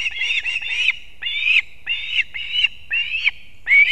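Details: Osprey in Latvia, a male bringing two fish at once to chicks at the nest, 6:40 am on 3 September 2024; loud strained whistled calls, slurred and rising, given in quick series with short gaps.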